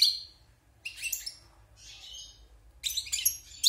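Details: European goldfinch, wild bird housed in a cage after its moult, giving rapid high chattering and twittering bursts, some slightly harsh, in four separated phrases.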